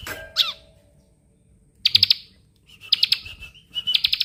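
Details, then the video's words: Bar-winged prinia song used as a master recording for songbird training: short bursts of rapid, ticking high trills separated by pauses, opening with a brief sharp downslurred note. "ciblek bren rapat cocok buat masteran"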